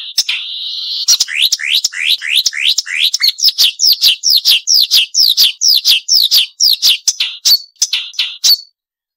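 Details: Sharp song of a Marsh warbler, used to train songbirds: after an opening buzzy note comes a long series of high, down-slurred notes, about two every second, ending in a few clicks.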